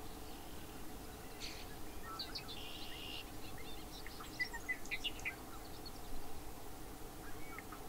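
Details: A Bobolink calling and singing: scattered short notes, a flat buzzy band, then a jumble of bright twittering notes mid-clip, over steady low background rumble.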